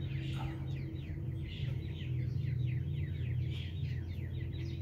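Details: Grey francolin with chicks in Punjab: thin, high, downslurred chirps in quick runs, faint over a steady low rumble that dominates the recording.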